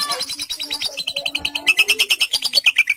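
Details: Javan pied starling, a caged songbird, singing with lovebird mimicry: a rapid run of buzzy, high chattering notes pulsing about six times a second, shifting pitch partway through.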